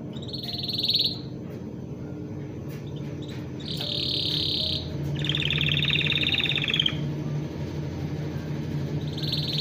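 A canary gives bright, buzzy trilled phrases high in pitch, each lasting about a second, over a steady low rumble of background noise.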